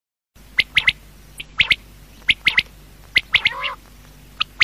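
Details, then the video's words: Quail calling at night: sharp, high, clipped notes in quick triplets, a single note then a close pair, repeated about once a second, with one harsher rasping call near the middle. "Quail|Night|Best|Sound| Batair Awaaz|"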